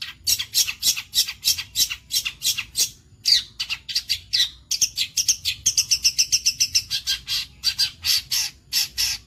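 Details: Long-tailed shrike, a burnt-headed form, giving loud grating squawks repeated about three times a second, broken by brief pauses and stretches of thinner, faster chattering notes.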